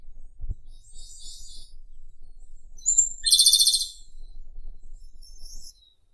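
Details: Japanese robin singing: a loud phrase of a high whistle leading into a fast, rattling trill, surrounded by fainter high twittering and a low background rumble with a thump near the start.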